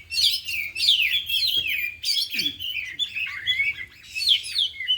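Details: Oriental magpie-robins, four birds training in the afternoon and all singing their learned fill-in repertoire: rich, overlapping warbles, descending whistled slurs and fast chattering trills in energetic bursts about every second.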